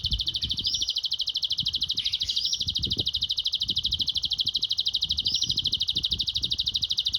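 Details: Canary singing a song filled with grasshopper-style phrases (isian belalang, sambung cililin): a continuous, rapid, buzzy pulsed trill held high and steady throughout, with brief sliding notes laid over it and faint low knocks underneath.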